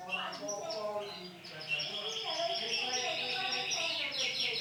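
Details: Male white canary singing a bright run of high chirps and short twittering notes, with a fast descending trill near the end over low murmuring background sounds.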